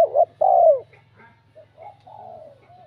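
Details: Spotted dove cooing to provoke rival males: two short hollow coos, the second longer and falling, then quieter drawn-out coo notes fading away over a low steady hum.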